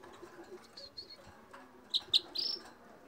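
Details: Red crossbill (Loxia curvirostra) song: a few sharp, high chips followed by a brief rising twittering phrase, over a faint murmur of background noise.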